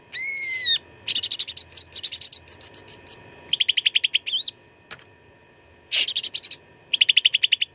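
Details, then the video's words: Cucak ranting in energetic fighting song, used as a master recording for training contest birds: a long whistled note with harmonics, then bursts of rapid sharp repeated chips and clipped trills separated by short pauses. "CUCAK RANTING GACOR TERBARU 2025 _ SUARA TARUNG FULL ISIAN"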